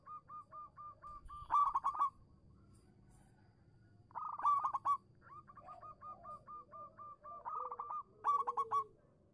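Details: Cooing zebra dove of a local Indonesian strain, used as a lure for doves that have stopped singing: long strings of evenly spaced soft coos, each ending in a quick trilled flourish, with lower murmurs between.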